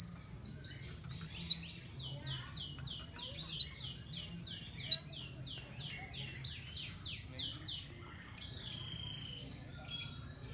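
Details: Canary in excessive breeding condition (over birahi) singing a series of rapid, descending whistled notes in steady rolling rhythm, punctuated by sharp high chips about every one and a half seconds, with a low background hum.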